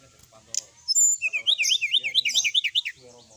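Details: Sooty-headed bulbul delivering a fast rolling phrase in a night-time tutor recording: a quick, even series of about a dozen looping whistled notes after a few sharp opening chirps.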